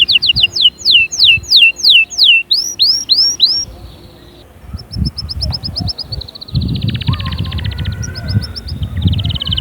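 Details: Canary song used to encourage chicks to sing and prepare females: loud downslurred whistles repeated about three per second, then softer, higher rolling trills over rumbling background noise and low knocks.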